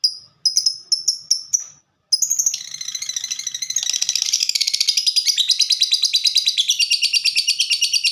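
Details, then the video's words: Fighter-type lovebird singing the 'typing' style: first five sharp, evenly spaced high chips, a short pause, then a fast, steady chattering run of ticking notes that grows denser and louder. "Burung Lovebird Suara Ngetik Dan Sama² Fighter."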